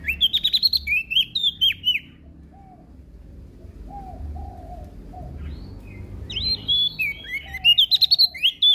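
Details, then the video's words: Actively singing prinia from Lombok: two dense bursts of high, sharp chirps that dip and rise, separated by a quieter gap holding soft, lower whistled notes from another bird. "Prenjak daun Lombok Gacor"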